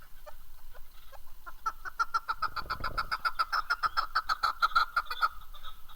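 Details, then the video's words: Chukar partridge (keklik) recorded in Darvoz, Tajikistan, in 2019: a loud run of sharp, clucking notes, rapidly repeated more than twice a second, building into a steady rhythmic chatter with a brief low rumble underneath. "Кабки Дарвоз 2019. Горная Куропатка (Кеклик) в Таджикистане. Keklik"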